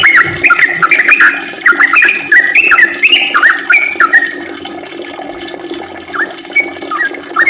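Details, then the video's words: Sooty-headed bulbul pouring out a fast, chattering 'ropel' song of jumbled bubbly notes for several seconds, then easing into a few scattered single whistles as the singing fades. "kicau trucukan gacorr ropel panjang"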